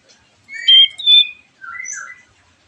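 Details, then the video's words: White-rumped shama singing as a lure for other shamas: a short burst of clear whistled notes, two loud sliding whistles, then a softer lower warbled phrase. "MURAI BATU GACORAN PANCINGAN MURAI BATU OMBYOKAN ABRAGAN AGAR IKUT NYAUT GACOR"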